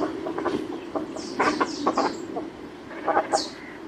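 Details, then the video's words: Cormorants giving rough, throaty croaks and grunts in short clustered bursts, with thin high squeaks mixed in over a steady low rumble. "NATURAL SOUND| CORMORANT BIRD"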